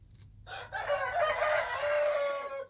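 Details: Wild chicken rooster crowing a long, rough, sustained crow of about two seconds that fades at the close, over low background hum.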